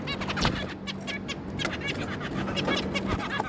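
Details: Zebra finches, a pair and three juvenile young, recorded on 26 May 2022, giving dense, overlapping short nasal call notes in quick succession against a busy background and low hum.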